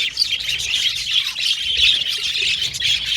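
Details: Group of budgies singing and chattering together, a busy stream of high, scratchy chirps and squawky notes layered over one another without pause.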